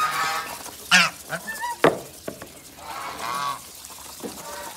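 Geese give nasal, harmonic honks in short bursts, about one a second, with a few sharp clattering sounds between calls.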